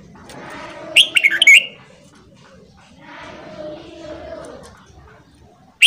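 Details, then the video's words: Red-whiskered bulbul singing in the morning, a recording for voice training: a single short, loud, rolling warble, then a low background murmur and a click at the end. "Luyện Giọng Chào Mào Hót Sáng Kích Chào Mào Bổi"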